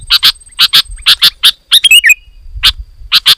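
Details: Loud song of a sooty-headed bulbul that provokes rival bulbuls to sing: paired sharp chips repeated about twice a second, interrupted by a short fluid, twisting whistled phrase, with faint low rumble beneath.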